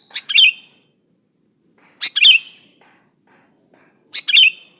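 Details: Vigorous pure song of a sooty-headed bulbul, played to coax other bulbuls into song: three short, liquid, bubbling phrases roughly two seconds apart, each a quick cluster of rising and falling whistled notes, quiet background.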